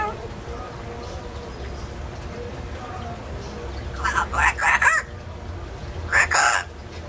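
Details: Pet parrot from an indoor aviary mimicking a rooster's crow: after quiet room noise, a loud burst of three rough, harmonic syllables, then a shorter two-part phrase near the end.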